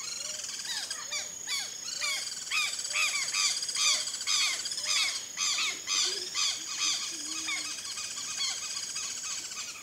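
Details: Turquoise-fronted amazons in the Pantanal give rapid, harsh, nasal squawks and chattering notes, about two a second, several birds overlapping in a noisy chorus.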